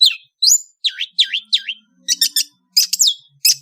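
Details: Afternoon song from an Indonesian long-tailed bird: looping, wavering whistled notes repeated three times, followed by sharp, dry chattering bursts and high squeaks, with clean quiet pauses between.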